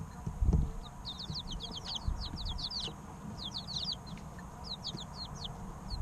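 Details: Several three-week-old chicks chirping as they play, quick high slurred peeps clustered in rapid runs with short pauses between, a low room rumble and a few soft thumps beneath.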